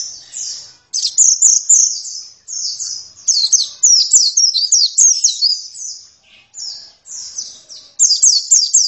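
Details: Oriental white-eye (pleci) delivering loud, high-pitched phrases of quick twittering and downslurred chirps, separated by short gaps, with a few clicks in the background.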